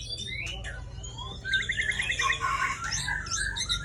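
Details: White-rumped shama of the Aceh type, a breeding parent bird: varied song of quick rising whistles and a rapid rattling series of repeated notes over a steady low hum and background noise.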